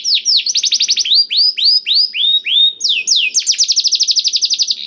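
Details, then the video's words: Canary song learned from a black-throat, played as a lure so canaries start singing: quick rolling trills alternating with slower, loud, down-curving whistled notes, closing on a rapid even trill. "KENARI ISIAN BLACKTHROAT #175 || VOICE OF CANARY"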